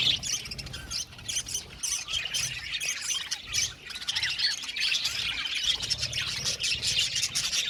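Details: Many budgies in a colony chirping at once: rapid clicking chirps and chattering squawks layered into a steady high warble that swells toward the end.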